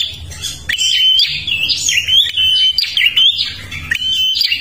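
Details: Prinia from Kalimantan singing vigorously, a song used to lure other birds: continuous high chattering warble of sliding whistles and rapid chirps, with brief short gaps and no other clear sounds.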